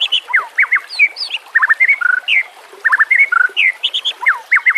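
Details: White-rumped shama song meant for training birds, over gentle water sounds: loud varied whistles, quick dropping slurs and paired chirps that keep changing pitch in a lively, irregular stream.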